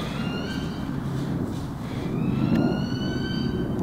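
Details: Wailing emergency siren slides slowly in pitch over a constant traffic rumble, with no animal sounds present.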